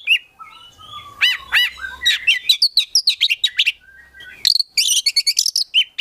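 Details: Collected prospect Oriental magpie-robin in full gacor isian song: a long thin whistle, two loud sweeping notes, then dense jumbled chirps, a brief pause and quick high rattling trills.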